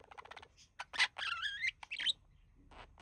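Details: Pet male budgie from a relaxed couple, mimicking human speech; soft ticking notes, then a loud drawn-out harsh warbled phrase with a wavering tone and a short squeaky burst, followed by quiet.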